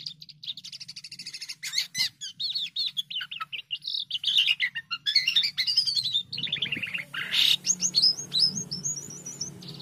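A White-headed starling sings a long, varied run of chattering, trilled and whistled phrases, ending in a string of bright rising slurs, over a faint low hum.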